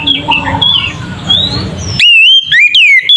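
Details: Oriental magpie-robin in ngeplong song, used as a lure to rouse rival magpie-robins. A faint, hissy passage with soft chirps gives way to loud, pure whistled notes that bend up and down in quick succession.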